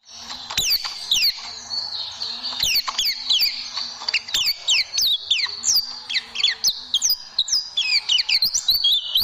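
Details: White-eye song recorded as a tutor for training caged birds: rapid high chirps with sharp falling and rising sweeps, repeated in quick bursts, with sharp clicks running through.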